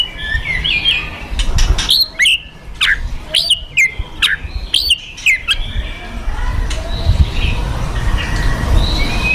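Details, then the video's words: Fighter white-rumped shama singing as an emotional provocation: loud, sharp whistled phrases with clicks and downward-swooping notes in the first half, fading into softer distant whistles over low rumbling background noise. "Kretekan Dan Tembakan Murai Fighter Pancingan Emosi Murai Paling Efektif"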